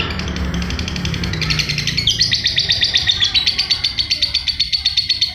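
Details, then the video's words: Lovebird giving a steady run of quick, high buzzy chirps, used as tutor song for other birds, with low tones in the background at the start. "Love Bird ngacorr abisss"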